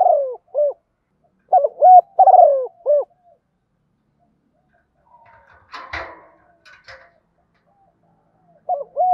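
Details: Spotted dove acting as a decoy for wild birds, cooing a low hooted phrase at the start and another soon after, then a sharp knocking and rustling noise midway, and fresh cooing at the end.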